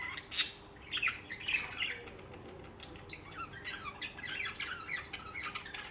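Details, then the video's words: Budgerigars chirping and singing: soft, rapid scratchy chatter with short clicky notes and a few louder squeaks, fairly faint overall. "Most Beautiful Bugies Song | Bugies Singing and Chirping"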